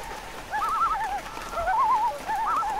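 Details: Loon tremolo: fast, yodel-like wavering notes from more than one bird, trading and overlapping phrases against a light background hiss and patter.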